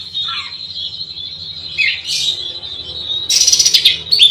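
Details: An oriental magpie-robin delivers a provoking song meant to rile rivals. A steady high chattering warble is broken by a brief lower slurred dip, then ends in loud, harsh, buzzy bursts and sharp chirps.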